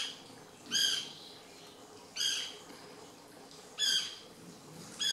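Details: White woodpecker in the Lodge Garden at REGUA, 2016, giving harsh, chattering squawks, each about a third of a second, repeated about every one and a half seconds over a quiet background.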